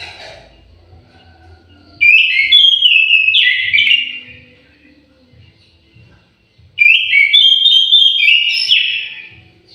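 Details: Aviary orange-headed thrush delivering its melodious song in two rich whistled phrases, each a tumbling run of clear notes lasting about two seconds, with a silent gap of nearly three seconds between them.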